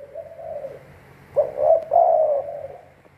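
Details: Spotted dove decoy bird for trapping: a faint, breathy coo opens, followed by one strong phrase of two quick notes and a long, husky, wavering coo.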